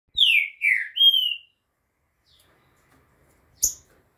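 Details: Green-winged saltator (Saltator similis) song at 2:30 in the afternoon on 11 September: three rich, loud whistled notes in quick succession, the first two slurring downward, the last a drawn-out clear whistle, then a single sharp knock.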